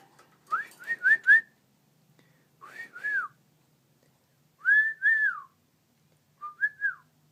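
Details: Cockatiels kept as pets, communicating: clear whistled calls in groups, a quick run of four rising notes, then paired arching whistles repeated every couple of seconds, with a faint low hum.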